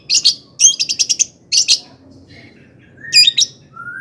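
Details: Long-tailed shrike singing as a lure to spur other shrikes into song: short buzzy high bursts, a rapid stuttering string of notes, a silent gap, then one final harsh phrase ending in a thin rising whistle.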